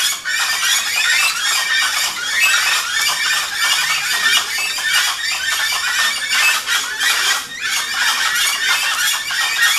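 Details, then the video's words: A dense early-morning chorus of Gray-headed chachalacas at Rancho Naturalista, Costa Rica, with harsh overlapping squawks and cackles rising and falling without pause. "chachalaca chorus"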